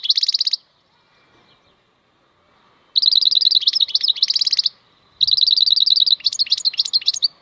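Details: European goldfinch, wild-caught type known as maknine khalwi, delivering buzzy rattling trills mixed with rapid tinkling twitters, in two long phrases of about two seconds each separated by a silent gap.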